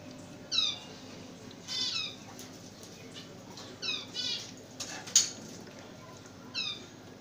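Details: Lovebirds giving high, shrill chirps, each a quick sweep of downward-stepping notes, repeated every second or two over a steady background hiss.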